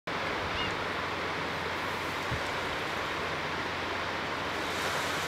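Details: Steady, loud roar of surf and waves fills the recording, with a brief low thump and no clear animal voice.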